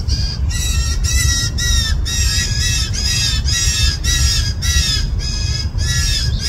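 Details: Hungry fledgling blue jays, at least two, calling in a yard on June 20, 2024, upset that parents feed them less: harsh, raspy squawks with strong harmonics, repeated about every half second in a steady stream over a low background rumble.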